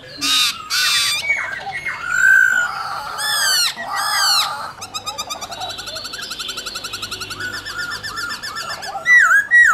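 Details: {'caption': 'Laughingthrush, white-cheeked, in varied many-voiced forest-style song: loud harsh harmonic bursts, mellow whistled phrases, then a long rapid rattling trill followed by quick looping whistles.'}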